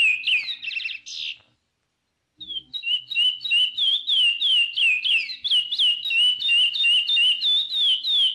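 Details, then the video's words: Chestnut-bellied seed-finch giving its praia-style song: after a buzzy opening and a short silence, a long steady series of clear whistled notes, each sliding down then rising, roughly three per second. "CANTO DO CURIÓ CANTO PRAIA"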